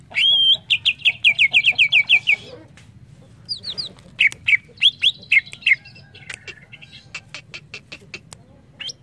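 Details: Greater green leafbird singing for bird training: a long, fast series of about a dozen bright, downslurred whistled notes, a pause, then more scattered slurred whistles and sharp ticking chips.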